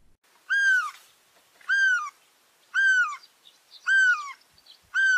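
Great spotted cuckoo giving five loud, rich, downward-arching squealing notes, one roughly every second, with nothing else heard.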